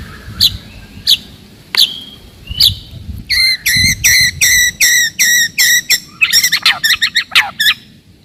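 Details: White-rumped shama song meant to provoke rivals and test young birds: a few sharp isolated clicks, then a steady series of a dozen bright whistled notes and a jumble of fast chips, with faint low background noise.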